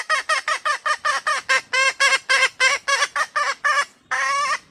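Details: Hen red junglefowl giving a long train of about fifteen clipped, reedy notes at an uneven pace, a short pause, then a longer drawn note to finish.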